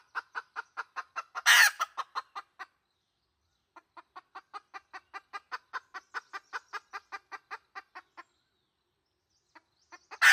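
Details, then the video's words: Red junglefowl hen kept as a decoy for wild junglefowl, clucking in fast regular series broken by a harsh, noisy squawk early on. After a gap a long cluck run follows, and another loud burst comes at the end. "Suab dib qaib qus poj tsauj. เสียงต่อไก่ป่า"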